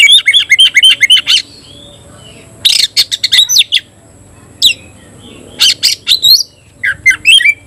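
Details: Oriental magpie-robin, caged, singing the 'tayoraky' style. A rapid run of bright repeated chirps opens the song. Scattered whistled phrases follow, separated by pauses of about one to two seconds.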